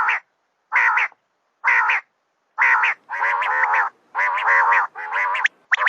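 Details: Rasping, nasal female common quail calls spaced about a second apart, later merging into longer continuous buzzy phrases.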